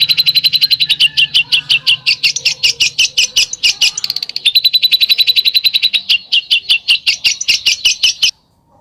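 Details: Songbird pouring out a long besetan phrase, an unbroken series of rapid, sharp, piercing notes lasting over eight seconds before stopping abruptly into silence.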